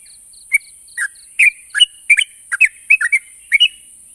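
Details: Yellow-vented bulbul song, played to prompt silent, stalled trucuk birds to answer: short bubbly chirped notes, single or in quick pairs, spaced about every half second, over a steady thin high hiss and faint repeated ticking.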